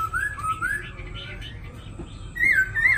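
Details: Long 'lai dai' singing from a caged black-throated laughingthrush, one of a newly arrived pair in Hanoi, Vietnam: flowing whistled phrases that rise and fall in smooth loops, ending with stronger warbled notes.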